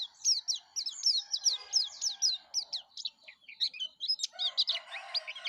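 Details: Yellow-breasted white-eye in full song, a quick series of high, sharply slurred chirps with a softer lower chatter joining in during the final seconds.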